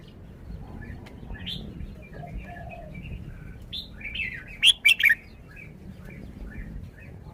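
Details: Red-whiskered bulbul performing a song phrase: scattered soft chirps and short upslurred whistles build to a bright three-note burst of sharp, liquid notes, then fainter twittering resumes.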